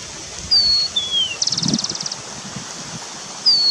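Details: Wild starling in forest giving a level high whistle and a downslurred whistle, then a rapid dry buzzing rattle, another whistle beginning at the end; light rustling below.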